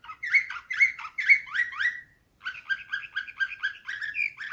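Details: Slavujar canary song in nightingale style: sharp upslurred notes in quick clusters, a brief gap, then a steady rhythmic run of repeated chirping notes, about two per second.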